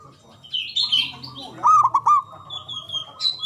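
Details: Local Javanese zebra dove singing to prompt lazy doves to call back. A steady low cooing tone breaks into a few fast stuttered notes, with high chirps from other birds and faint low hum.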